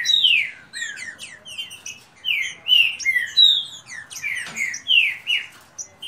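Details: Green-winged saltators competing in a rapid song dispute, kept birds trading rich descending whistles, with the phrases overlapping and crowding together, plus faint higher chirps.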